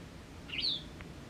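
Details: Autumn white wagtail at a house garden where the birds fight fiercely over territory; a single brief, sharp chirp sweeping downward in pitch, followed by a faint soft tap.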